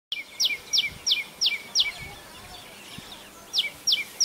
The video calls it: Tailor Bird Calls | Loud calls of Tailor bird